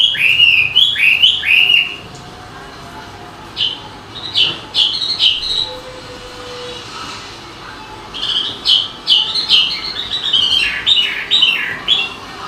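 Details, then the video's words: Songbird chirping in bursts of sharp, swooping notes, a fast chattering phrase at the start, scattered chirps in the middle after a pause, then another busy run of rapid falling notes. "Suara burung berkicau"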